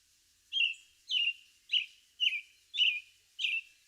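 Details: American robin song, remembered as 'cheery up, cheerio, cheerily': a steady series of clear, whistled caroling notes, each sliding down then holding, about every 0.6 seconds. No other sounds.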